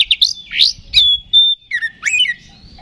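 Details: Oriental magpie-robin in ngeplong fighting song, used to stir other magpie-robins. It gives harsh chirps, a clear sustained whistle, then dropping and rising slurred notes.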